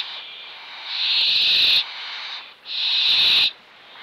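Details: Young barn owls perched and being fed give long, harsh hissing screeches, two drawn-out rasping bursts of about a second each separated by a short pause.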